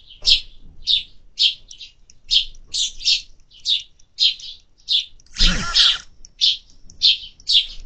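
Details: Summer sparrows at a feeder chirping in quick, evenly spaced high notes, broken near the end by a brief broad clattering burst before the chirps resume.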